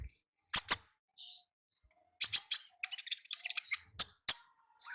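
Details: Olive-backed sunbird in the wild with ngalas song: paired sharp chips, then a rapid stuttering series of high ticks and crisp notes ending in a thin whistle.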